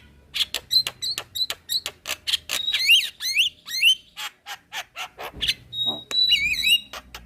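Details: Black-winged myna song from a cage-bird training recording: fast run of harsh clicks building into loud wavering, looping whistles and squawks, with a long steady whistle near the end.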